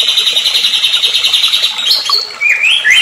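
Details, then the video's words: Agitated white-rumped shama song used to provoke rival birds: a rapid even trill of high notes, then sharp rising whistled phrases. "AMPUH PANCINGAN MURAI BATU EMOSI EFEKTIF bikin MURAI langsung GACOR"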